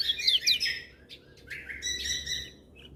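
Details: Kecial kuning, the lemon-bellied white-eye, in full gacor song that sets other birds calling: a quick cluster of sharp high whistles, then softer buzzy chirps trailing off over three seconds.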